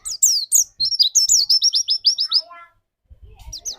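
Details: White-eye song serving as a lure to make another white-eye sing 'nembak': a brisk sequence of high descending whistles, about three per second, ending abruptly, followed by soft low background noise and a few notes.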